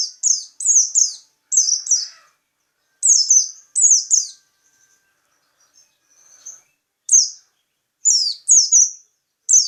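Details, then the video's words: Local peci bird singing: bursts of two to four high, bright, slurred chirps that sweep downward, given in quick phrases with short pauses between, and a faint quieter twitter near the middle. "Burung Peci lokal"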